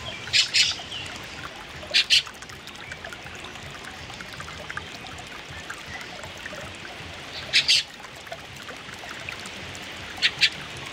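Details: Two young fieldfares perched on branches give harsh, scratchy calls in quick doubled bursts, four times over about ten seconds, against a steady rushing hiss like flowing water.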